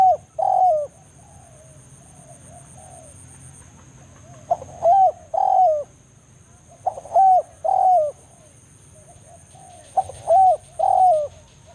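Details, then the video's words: Forest spotted dove calling a rival in 'banggo' style, a lure recording meant to bring other doves to a trapping field: four rounds of short pickup note plus two drawn-out, ringing coos, evenly spaced, over a low faint whine. "cara pikat BANGGO full memanggil lawan di hutan"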